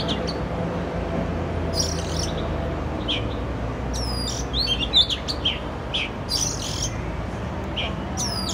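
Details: Urban Oriental magpie-robin, Canon R6 recording: varied whistled phrases with sharp downward sweeps and buzzy chirps, loosely spaced across the clip, over constant low traffic-like hum.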